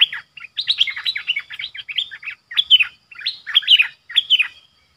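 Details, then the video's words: Lure streak-eared bulbul calling to attract wild birds, uttering clustered chirpy, bubbling phrases of quick up-and-down notes, separated by brief gaps, loud and close. "Burung pikat merbah lekir"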